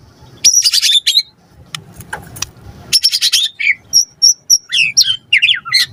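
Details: White-rumped shama in lure song meant to provoke a reply: harsh high buzzy bursts, a few clicks, then clear thin high whistles repeated and quick slurred notes, faint low rumble underneath.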